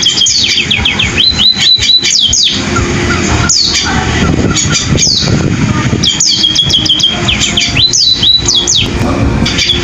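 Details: Chattering canary-like sparrow song: rapid sequences of high upslurred whistles and trills, a quieter middle stretch, then another lively burst, with continuous low background noise.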